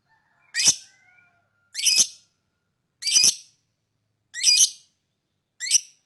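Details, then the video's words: Lovebird calling to lure other birds: five harsh, high squawking chirps, each about a third of a second long, spaced roughly every 1.2 seconds, with a faint thin whistle before the first. "lovebird singing & chirping sound to lure other birds chirping"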